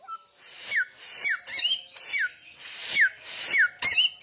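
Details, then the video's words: Samyong songbird singing loudly and persistently: sharp downslurred whistles repeated about every half second, each paired with a hissy, buzzy burst, and a brief rising twitter near the end. "SAMYONG Gacor Ngotot Suara Kenceng"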